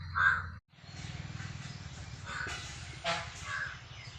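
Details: Crow giving one loud, harsh caw at the start, then several fainter caws, over a steady low droning hum.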